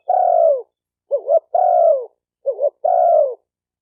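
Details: Spotted dove call meant to stimulate males and females: three long, slightly falling purring coos, each separated by a quick two-part rolling note, on a silent background.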